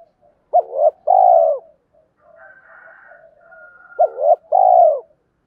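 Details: Spotted dove cooing in the two-ending 'hai hậu' style to stir up wild doves. Two strong phrases, each a stuttered double note and then a drawn-out downslurred coo. Between them, quieter higher murmurs and a faint steady tone.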